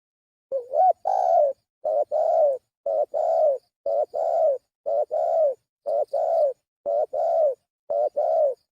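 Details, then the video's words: Spotted dove calling as a lure, an opening rising warble then a steady run of eight short-long coo pairs, one per second, with nothing else heard. "Suara pikat burung tekukur"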